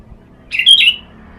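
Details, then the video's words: Sooty-headed bulbul, known locally as kutilang, kept for sunning therapy and used as a lure for other birds; one short bright phrase of slurred whistled notes, rising then falling, lasting about half a second. "Terapi jemur pikat burung kutilang"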